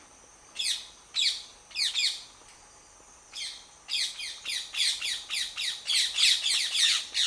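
A parrot gives harsh, grating squawks in quick bursts, high-pitched and repeated almost twice a second.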